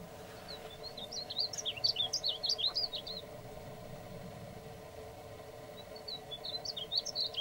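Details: >Male painted bunting singing: a rapid, high, sweet warble of jumbled slurred notes lasting about three seconds, a pause, then a second phrase begins. A steady low hum runs underneath.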